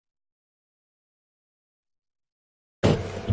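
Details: Nearly three seconds of silence, then a sudden short burst of low, broadband rumbling noise near the end.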